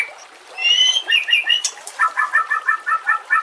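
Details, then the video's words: White-rumped shama on a training recording for other shamas, with nature and water sounds added. A few clear whistled slurs are followed by a fast, even series of paired chirping notes, about ten to a second. "Masteran murai TERAMPUH yang di pakai semua burung juara"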